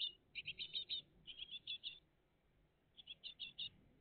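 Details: Great tit family, 20 June 2023, around 6 to 8 a.m., calling in rapid bursts of four to six short, high chirps with brief pauses between bursts, over a quiet background.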